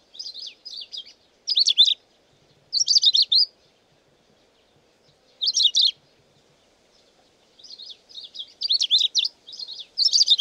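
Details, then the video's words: Long-tailed rosefinch (Carpodacus sibiricus, uragus) singing short, high, twittering warbled phrases, each under a second, in bursts separated by brief pauses; no other sounds. "Как поёт урагус? (длиннохвостый снегирь)"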